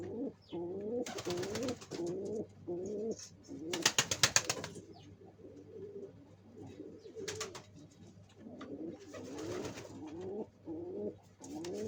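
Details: Nest-building pigeons coo in low, gurgling phrases that swell and drop, repeated almost without pause. Loud bursts of rapid clattering, like wing or nest-material noise, break in twice.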